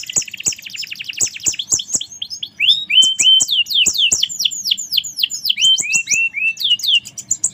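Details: Lively canary song mixing a buzzy high trill with loud descending whistled notes and varied slurred phrases; sharp clicks sound intermittently in the background.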